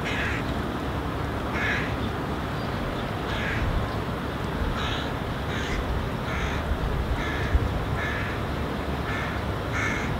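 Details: Hooded crow (Corvus corone cornix) fledgling on the ground, calling and gesturing at its parent, which is eating nearby and walks away with the food as the young bird follows. Harsh, hoarse calls repeat roughly every second over a steady low rumble.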